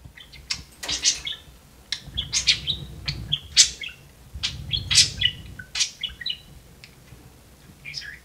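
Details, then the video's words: Pet budgerigar, one of two caged budgies playing on perches, known as a talking bird; dense bursts of high, scratchy chirps and warbled notes tumble together at an irregular pace, with a soft low rumble beneath. "Talking budgie says "Hey Siri""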